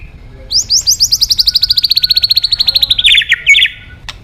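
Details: High, rapid trill from a white-rumped shama used as a singing lure: a string of about thirty fast bright notes that slowly falls in pitch, finishing with a couple of emphatic doubled notes.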